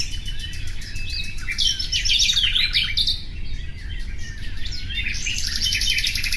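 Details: Common nightingale song: soft opening notes building into a loud burst of tumbling whistles and chirps, then a high fast trill; low rumble persists.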